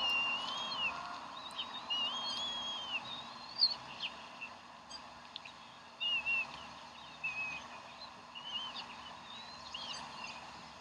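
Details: At the Decorah bald eagle nest on 27 April 2012, breakfast fish still flopping: loud high wavering whistled calls, several drawn-out and slurred, with sharp clicks and shorter squeaky notes between them and a steady low hum behind.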